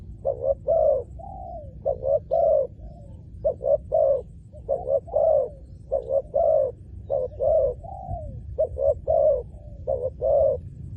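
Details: Repeated hollow cooing from a spotted dove in a ground lure setup for wild doves, with brisk double notes and drawn-out, sliding coos in near-continuous series and a low background rumble.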